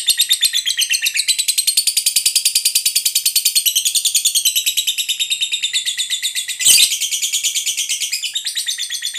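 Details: Fighter lovebird giving a long ngekek song used to provoke other lovebirds into singing: a fast, unbroken chatter of high, buzzy notes repeated many times a second, with one brief clatter midway.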